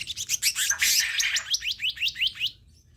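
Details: Black-naped monarch recorded as a lure to provoke other birds to answer: a fast, dense run of sharp high notes, then about eight clear upslurred chirps repeated several times a second before stopping.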